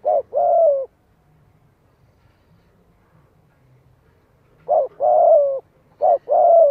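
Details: Spotted dove used as a decoy, calling in the giọng hạp voice style to draw in wild doves: a short coo and a drawn-out croo, then several quiet seconds before two more coo phrases begin.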